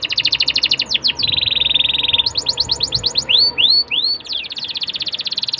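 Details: Atlantic canary song played to prompt young canaries to start singing, mixing rapid high chip series, a sustained buzzy trill, and looping rising-falling whistled notes.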